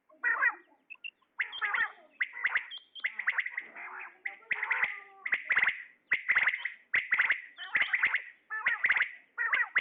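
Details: Male common quail calling: loud, crisp notes bunched in quick groups, repeated at a steady rhythm about once a second, mixed with some raspy, buzzy phrases early on.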